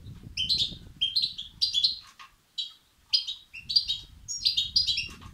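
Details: Begging calls of goldfinch chicks, played to excite males: high twittering clusters roughly every half second, a short pause midway, then denser, brighter chatter resumes.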